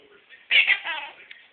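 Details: Pet male Quaker parrot, one and a half years old, imitating peekaboo: a single short, strained, whiny syllable pair, high and raspy, trailing off, followed by a sharp click at the end.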